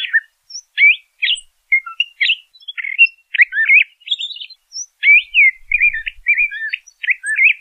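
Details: LeConte's thrasher singing a varied, rambling string of short warbled and slurred phrases, each different from the last, with brief pauses between, in a clean recording with no other sounds.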